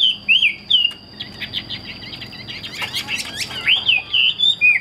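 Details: Captive Chinese hwamei kept as a fighting bird: loud slurred whistles swooping up and down, then a rapid dry chattering burst of clicks, then more looping whistled phrases. A faint steady high whine runs throughout.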